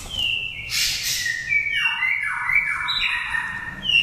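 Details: Oriental magpie-robin, a five-season bird from Daklak, Vietnam, with a pure wild voice used to excite other birds or trap them. A loud rasp gives way to a run of sliding, overlapping whistles that step up and down.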